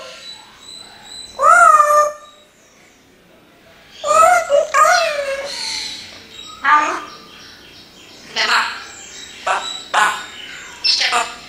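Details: Pet parrot mimicking human speech: several short, word-like phrases in a tonal, nasal voice with clear harmonic bands, separated by brief pauses, the later syllables clipped and quicker.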